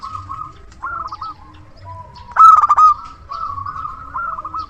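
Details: Decoy zebra dove of local stock, known for constant loud singing, gives soft rolling coos that build into one loud, fast-pulsed throaty burst mid-clip, then trail off into gentle repeated notes.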